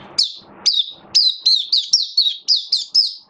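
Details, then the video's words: Caged oriental white-eye in buka sing (opening song) display: a run of about ten sharp, high chirps, each dropping quickly in pitch, delivered in a bouncy, uneven rhythm roughly two per second. "Mata Puteh Buka Sing"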